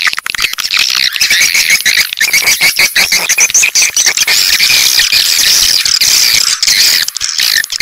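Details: Swiftlet calls played to attract swiftlets to a bird house: a dense, continuous stream of high buzzy chirps and clicking rattles, loud and unbroken throughout.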